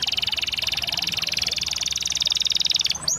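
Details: Canary song in one sustained rapid trill, high and buzzy, with notes pulsing many times a second for nearly three seconds before a short chirp at the end.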